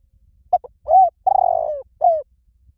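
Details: Spotted dove call used as a decoy to draw wild doves in for trapping: a short clipped note, then a soft rising-falling coo, a long drawn coo that falls at the end, and a final falling coo.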